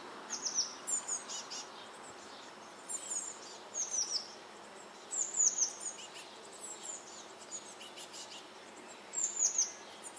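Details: Eurasian blue tit nestlings in a nest box in May, close to fledging, giving very high, thin, hissing chirps in bursts every few seconds, rising as they are fed; soft background hiss.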